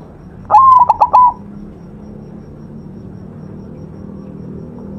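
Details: White zebra dove in full song for a tutor recording: one short phrase of a drawn-out whistled coo broken by four quick stuttering beats, ending on a held note, then quiet low background hum.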